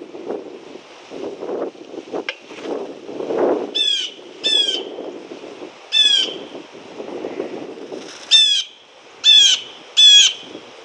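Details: A Blue Jay at a feeder station gives six short bursts of rapid, harsh, down-slurred notes, spaced one to two seconds apart, over a low rumble; recorded 11/07/2018. This jay is known to imitate a Cooper's Hawk.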